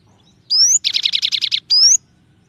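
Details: Song variation called 'tembakan' from a gelatik batu, or cinereous tit: a sweeping upward whistle, a rapid rattling buzz of roughly eight pulses, then a second upward whistle, crisp and clear.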